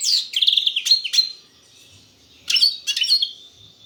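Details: Two short bursts of European goldfinch song in the кокил песса style, each a rattle of high chirps and liquid twitters, separated by about a second of quiet.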